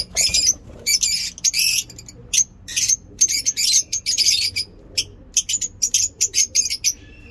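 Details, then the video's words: In a mini zoo, lovebirds sing in the morning in the ngekek manner, with continuous high rasping chatter split into many quick bursts and stuttering clicks, barely pausing. "Lovebird ngekek lovebird singing in mini zoo"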